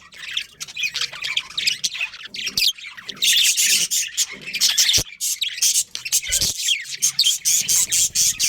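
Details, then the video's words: Budgerigars in a breeding colony, among them a breeding pair, giving loud continuous high chatter of squawks and chirps that grows denser midway, with occasional sharp clicks. "Cute Budgies Chirping Sounds"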